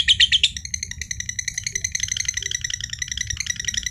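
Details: Green standard-colour (josan) lovebird kept as a prized competition bird, giving its long ngekek trill said to set other birds trilling: a loud opening burst, then rapid buzzy pulses running steadily through the clip over a low hum.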